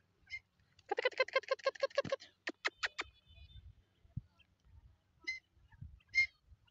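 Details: Dakhni teetar, a grey francolin, calling a fast burst of rich, nasal repeated notes followed by a few sharp, clicking notes. Afterwards come scattered faint high chirps and low rustling or handling sounds.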